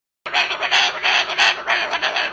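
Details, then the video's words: Pet bird showing disapproval of a cardboard house with strange noises: harsh, broadband squawking pulses repeated several times a second, strongest in the upper range, with no other clear sounds. "Bird Shows Disapproval of Cardboard House by Making Strange Noises"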